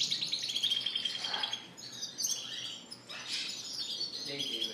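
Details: Spanish Timbrado and Gloster canaries in cages at a bird shop, recorded April 9, 2016, sing in chorus: a sustained pure whistled note, then bursts of fast rolling trills and chirps.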